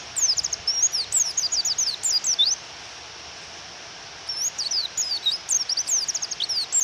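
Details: Japanese white-eye female calling to provoke a male to sing, recorded with rain: strings of high, sharp downslurred chirps, silent gap of about one and a half seconds, then renewed rapid chirping under constant rain hiss.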